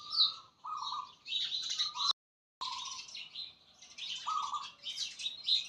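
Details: Birds singing in nature: bright tweets and warbled phrases overlap, with a lower rasping note at intervals and a brief silent gap partway through.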